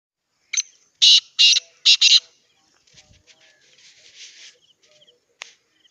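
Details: Hand-tamed pet black francolin from Pakistan calling: a short note followed by three harsh, grating, buzzy bursts in quick succession, then quieter scratchy rustling sounds and a final faint click.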